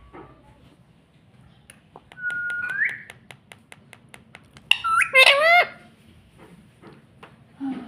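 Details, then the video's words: Talking rose-ringed parakeet, a pet said to say "mummy", gives a single rising whistle, then a harmonic, wavering squawked phrase, amid a run of quick regular clicks. "Mummy Bolne Wala Tota || Batuni Tota Mitthu || Talking Parrot"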